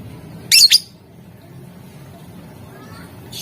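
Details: Lovebird calling to stir rivals into replying, in the chattering ngetik or ngekek manner; a quick pair of piercing high chirps early on, then mostly low background noise with a soft note at the end.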